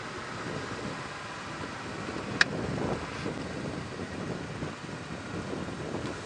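Vehicle engine rumble and steady wind on an evening safari drive at 5:30 PM on 30 October 2016, with one sharp click and no animal calls heard.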